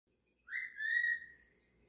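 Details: Cockatiel calling while walking and playing: one clear whistled note that rises sharply, then holds steady and slowly fades, over a quiet low hum.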